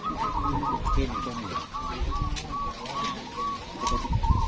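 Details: Zebra doves (perkutut) at a local cooing competition in Magelang, Indonesia, on a hot afternoon with 84 entrants, give runs of soft, rolling cooing notes, arched and repeated quickly, over a low murmur of crowd and background noise.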